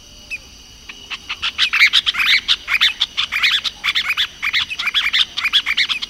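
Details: Masked water tyrant singing a lot. After a lone opening note, a dense, fast series of buzzy, clipped notes builds up and runs without a break for about five seconds, with a low steady hum behind.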